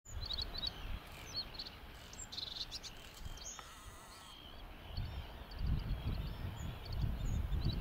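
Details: A bluethroat on the Isle of May, Fife, in May 2019, during migration with up to 15 present, sings a quick, varied run of high, thin chirps and twittering phrases over strong gusty wind rumble.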